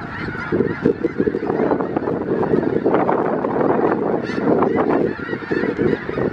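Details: Thousands of snow geese, about 5000 birds wintering in south Grayson County, Texas, February 2018: a continuous wall of high, barking honks from the massed flock, rising and falling in waves with no pause.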